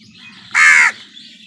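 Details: One harsh, raspy caw lasting under half a second from a crow squabbling with other birds over food, with a faint low hum beneath.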